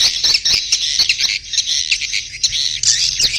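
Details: Swiftlet mating call: a dense, buzzy chatter of many overlapping high twitters that swell and fade in short bursts, with no other sounds.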